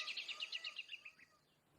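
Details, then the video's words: Kacer, the oriental magpie-robin, giving a short rattling trill of about ten quick notes that descend and fade away, fairly soft, with faint background hiss. "Burung Kacer Gacor"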